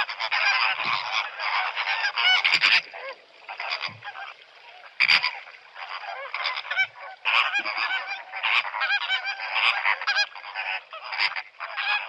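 A crowded flock of flamingos gives nasal, goose-like honks that overlap constantly, with louder bursts every second or two.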